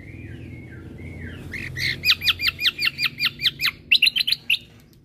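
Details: Greater green leafbird (cucak kombo), a gacor bird used for masteran, end of 2022. Soft sliding whistles lead into a brisk regular series of about fourteen sharp hooked notes, then a quick cluster of chips.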